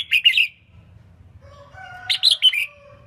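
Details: Female red-whiskered bulbul in a cage, singing to stimulate males: a quick rolling three-note warble, a pause with faint tonal whistles, then another fluttering three-note phrase over a soft low hum.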